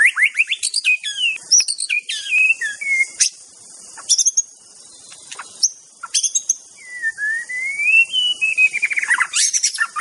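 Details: Aceh white-rumped shama in full varied song: fast sweeping chirps and sharp high notes in bursts, then a long whistled phrase rising gradually, followed by rapid trills; a constant high-pitched hiss in the background.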